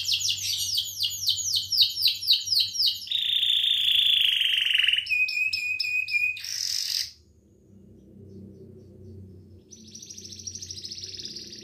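A Belgian canary sings a bright, rapid series of repeated chirps, then a long buzzy rolling trill, a brief pause, and a softer trill at the end.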